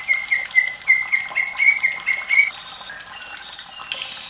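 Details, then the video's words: White-rumped shama over running water, recorded to prompt young birds to sing: quick series of uneven whistled notes for two and a half seconds, then only the splash and trickle of water. "MURAI BATU SUARA PEDAS Plus gemericik air perangsang bunyi"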